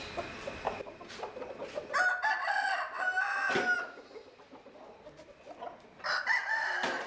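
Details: Roosters in rural southern Vietnam crowing, with several overlapping drawn-out crows and clucking, some louder and nearer, others further off.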